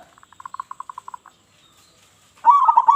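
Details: Local zebra dove singing loudly, its voice used to lure other doves: a run of about a dozen short, evenly spaced hooting notes, a pause, then a loud rolling trilled coo near the end.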